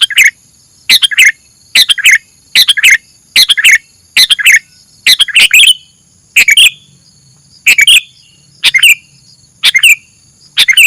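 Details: Kutilang, the sooty-headed bulbul, gives short bright chirpy phrases, each ending in a twisting downward slur, repeated about once a second with brief silent gaps.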